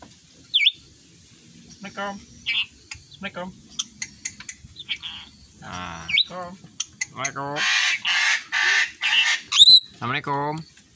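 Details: Tame, free-flying pet rainbow lorikeet that imitates human speech, mumbling unclearly and saying its own name; short rising squeaks and burbled, speech-like phrases, then loud harsh buzzy bursts, with a steady high whine behind.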